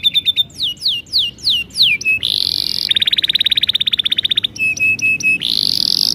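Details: Canary, a young bird, singing loudly: repeated sweeping downslurred whistles, a long rapid buzzy trill, then short repeated chips and another trill, clear and close.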